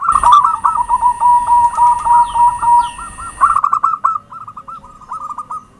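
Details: Zebra dove lure song: a loud stream of quick hooked cooing notes running into a long wavering trill, with a high steady electronic whine behind it, then softer spaced coo phrases after the whine stops.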